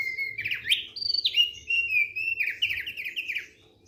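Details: Thick-billed white-eye in relaxed song, a continuous bright warbling phrase of swooping, rising and falling whistles, some rapid downward slurs, fading out at the end over a faint hum.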